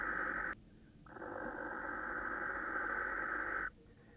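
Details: A male barn owl screeches at a female on 26 December 2017 around 21:07: a brief cut-off hissing burst, then one long rasping scream lasting over two seconds, with quiet in between.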